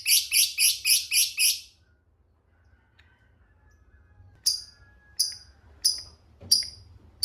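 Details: Lovebird lure sound in the ngekek style: six quick, harsh, high notes in a burst, then a pause and five separate sharp, squeaky chirps spaced well under a second apart.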